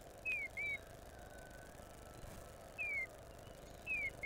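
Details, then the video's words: A female Eastern Bluebird sings persistently at a nest-box camera in the early morning of 14 April 2020: short, soft whistled notes slurring downward, in brief pairs a few seconds apart, over a low steady rumble. "female Eastern Bluebird singing"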